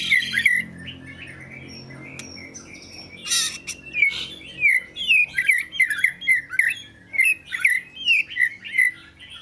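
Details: Oriental magpie-robin song of clear, evenly spaced whistled notes and slurred chirps, about one per second, after a brief harsh rasp; low hum underneath.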